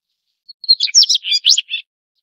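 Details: Daurian redstart (Phoenicurus auroreus) gives a quick, high, scratchy twitter of about a dozen clipped notes over one second, with no other sounds.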